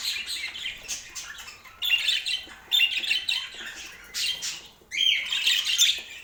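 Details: Budgerigar in Portland, a pet, making separated bursts of buzzy, squeaky chirps and warbles, each lasting about a second, with short quieter gaps between them.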